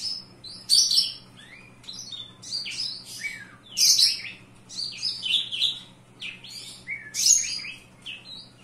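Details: Singing Javan bush lark indoors, a busy, varied song of loud high chirps, harsh buzzes and quick slurred notes, repeated in uneven bursts every few seconds over a faint low hum.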